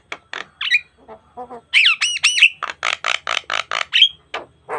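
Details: Javan myna (jalak kebo) in energetic gacor mompa full-variation song, recorded naturally without effects as a tutoring lure for caged starlings: harsh squawks, falling whistles and a rapid run of buzzy, evenly spaced notes.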